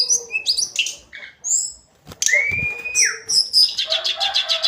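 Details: Singing hill blue flycatcher, sikatan cacing, delivering varied sweet whistled phrases, one long note gliding upward and then down, followed by a rapid twittering trill near the end.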